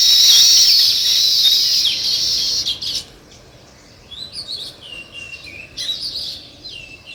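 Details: Sparrows, described as weaver birds, chirping naturally: a dense, loud chatter of overlapping high twittering notes for nearly three seconds, then quieter scattered chirps and short buzzy phrases.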